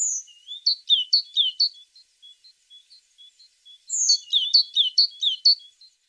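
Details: A tit gives a few sharp downslurred chirps, then soft evenly spaced thin notes, then another lively burst of high chirps.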